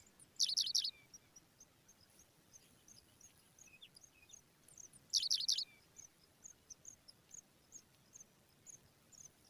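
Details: Pipit nestlings being fed by an adult give two short bursts of shrill, very high, rapid begging calls about five seconds apart. Faint thin chirps are scattered between the bursts over quiet background noise.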